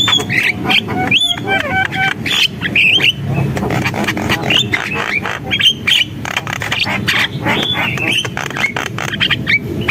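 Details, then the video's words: Energetic Javan myna song made of rapid scratchy clicks and squeaks, with a few clipped whistles near the start, over a steady low rumble. "JALAK KEBO GACOR, SUARA JALAK KEBO"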